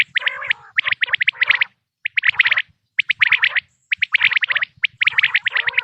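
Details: Quail calling, a natural recording for quail hunting: bursts of rapid high chirps alternating with lower harsh, rolling notes, separated by pauses of about half a second.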